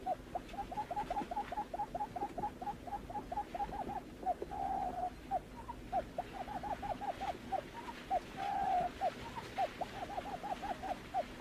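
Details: Lineated barbet: fast, even runs of short hooked hollow notes interrupted by two longer purring phrases mid-sequence, against a faint continuous hum.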